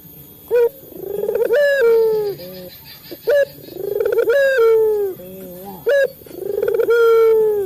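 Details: Male local Barbary dove calling to prompt captive doves: rhythmic coo phrases, a short abrupt note followed by a swelling, slightly falling tone, three times at roughly two-and-a-half-second spacing, with quiet hums between.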